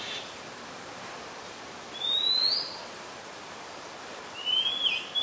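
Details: Oriental magpie-robin whistling in Ubon Ratchathani, Thailand, on 2 July 2022, Nikon P1000; after a quiet spell come two bright upslurred whistles, roughly two and a half seconds apart.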